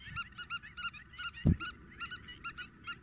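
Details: Spur-winged lapwing, Greece, April, in intense calling: harsh, ringing notes in quick clusters, overlapping callers, one loud low thump midway.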